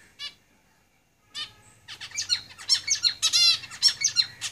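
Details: Zebra finches singing in a cage: two short nasal calls, then from two seconds a dense, fast run of buzzy, stacked notes and sharp chirps that continues to the end, with a low hum underneath.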